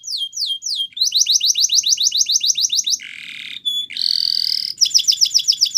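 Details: A yellow canary sings in the morning, strings of quick rising whistles, a low buzzing roll, a short clear note, a rising buzzy trill, then rapid repeated chirps; faint low background hum.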